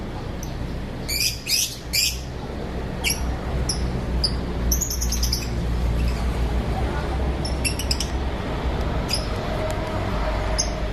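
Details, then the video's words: Lovebirds of various colours in an aviary in the morning, singing and chirping: bursts of sharp, high chirps in quick clusters, fading to scattered calls over a steady low background hum. "Lovebirds Singing & Chirping Sounds"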